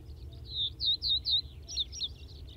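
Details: Common Reed Bunting recorded at Wakka Primeval Flower Garden, Hokkaido, giving clear, high, slurred tseeu-like notes, about eight in quick succession with brief pauses, against faint low background noise.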